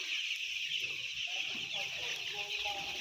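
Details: A dense, continuous high peeping from a mass of about 10,000 white chicks. Short lower tonal cheeps and a few murmuring sounds appear in the second half.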